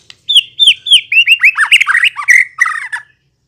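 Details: White-rumped shama song used as a lure to make other shamas answer and sing: a series of loud, clear whistled notes, first falling slurs, then rapid buzzy warbled phrases, about three seconds long, with no other sounds.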